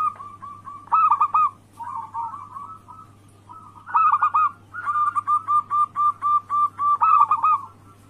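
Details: Local zebra dove in anggungan style, played as a lure so rivals answer: bursts of rapid, stuttering coos, then a clear series of evenly spaced cooing notes about three to four per second, with a constant low hum.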